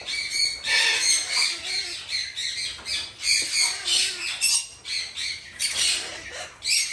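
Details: Three hand-fed female red-shouldered macaw chicks give harsh, raspy squawks in rapid, uneven bursts, several a second, overlapping.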